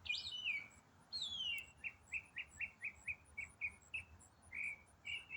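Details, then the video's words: Autumn songbird in a long, non-stop complex song: two loud descending slurred whistles open, followed by a quick even series of short chirps and a final drawn-out note. "Autumn Songbird - What bird sings one complex riff for 8 minutes non-stop?"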